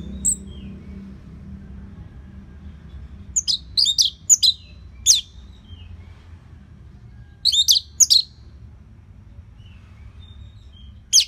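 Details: Orange-headed thrush singing, played to train other birds: scattered bursts of very high, thin, sharp notes in short clusters, with long quiet gaps and a low steady hum underneath.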